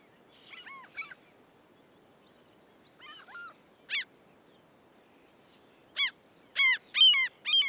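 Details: Common gulls in the UK give high, nasal, mewing cries in scattered bursts, ending with a louder run of four ringing calls over a faint low rumble.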